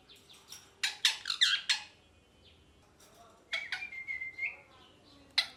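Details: Rose-ringed parakeet at home, a rapid burst of scratchy chirps and squawks, a brief lull, then more clipped calls and a thin, steady whistled note that rises slightly before more sharp chirps.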